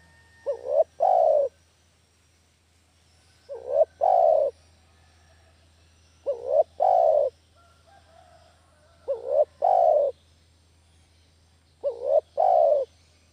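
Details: Spotted dove lure call for catching doves, repeated five times at roughly 2.8-second intervals. Each low phrase opens with a wavering upturned note and ends in a longer, rounded, slightly falling coo.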